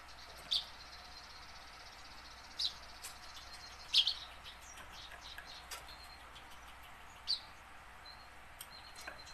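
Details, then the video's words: Tame house sparrow practising its song, kept to draw caught sparrows into singing; single loud, high chirps spaced about two seconds apart, with faint ticking between them. "burung gereja jinak belajar bunyi"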